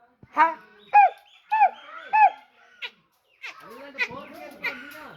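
Grey francolin giving four loud, ringing notes about every half second, then a rougher run of lower, overlapping calls.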